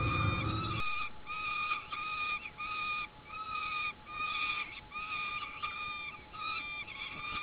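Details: Peregrine falcon chicks being fed by a parent on a nest platform in an oak: drawn-out wailing notes with stacked overtones, repeated in a steady series with short gaps; a low thump at the start and a constant faint hum.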